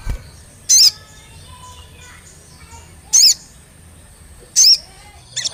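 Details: Olive-backed tailorbird sound for luring birds into song: three loud, high, sharp notes well spaced, roughly every one and a half to two seconds, with a soft low hum beneath.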